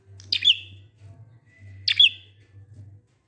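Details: Two sharp prinia chirps sliding downward into thin tails, about a second and a half apart, from ngalun-style song meant to get quiet prinias singing; low hum in the background.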